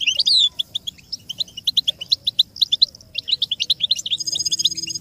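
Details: American goldfinch song from a training tape for teaching chicks and songbirds: rapid twittering run of high, thin chirps and slurred notes, opening with a loud burst, then quick repeated tweets with brief pauses.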